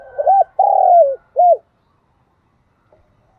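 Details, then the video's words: Decoy spotted dove giving its 'gáy gọi' calling song, used to train decoys and rouse wild doves: a single phrase of a short hooked coo, a long falling coo and a final short hooked coo, then silence. "Tiếng cu gáy mồi chuẩn Gáy Gọi dùng tập mồi kích lửa cho bổi"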